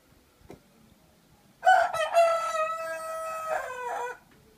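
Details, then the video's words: Rooster giving a single long crow: a loud, harsh opening that settles into a sustained, slightly falling drawn-out note lasting over two seconds, then cutting off, with faint background rustle before it. "Le chant du coq"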